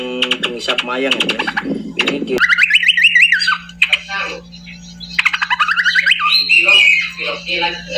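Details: A very tame olive-winged bulbul gives bubbly, warbling phrases in quick rising-and-falling runs, in two bursts. A human voice opens the recording, with a steady low electrical hum underneath.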